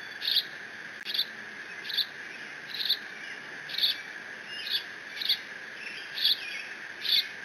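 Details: Young bald eagle at the Decorah nest on 30 June 2017 keeps squeeing while mantling its father's fish, though no siblings arrive. Eight high, squeaky notes repeat about once a second over constant background hiss.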